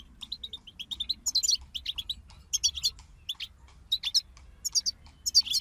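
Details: A group of European goldfinches gives short twittering phrases of liquid chirps and jangly notes, separated by brief gaps, over a quiet low hum.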